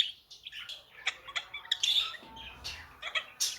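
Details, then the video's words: Pet budgerigars twittering in short, high, clipped chirps and squeaks, bunched in quick irregular bursts with tiny gaps between them. "budgie sounds"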